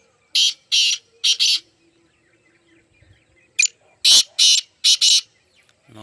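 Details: Partridge giving loud rasping calls in grouped bursts, three to four harsh notes, then a quiet gap and another run of similar notes.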